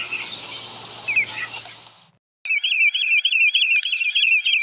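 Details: Sandpiper calling: a rapid, even series of high, twittering double notes, about three each second. Softer rustling noise and a few chirps come first, then a short silence.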